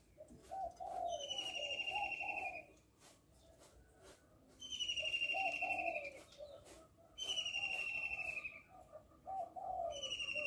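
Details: Female spotted dove calling to stimulate males, soft low cooing phrases repeated over and over, with a high descending buzzy trill from another bird recurring every few seconds and faint background hiss.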